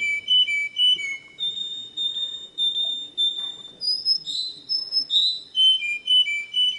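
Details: Canary singing a faultless tutor song for young birds: rounded whistled notes pulsing roughly twice a second, interrupted by a higher sliding phrase, then returning to the low repeated whistles.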